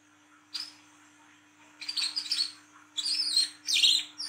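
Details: Olive-backed sunbird in lively night-time 'ngriwik' song: a single sharp high note, then increasingly loud bursts of squeaky, warbled chatter with high whistled slurs, over a quiet background hum.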